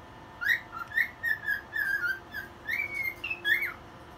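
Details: Cockatiel singing and dancing at one in the morning indoors: a run of about nine short whistled notes, some rising and some gliding down, ending in a longer rising whistle, over a faint room hum.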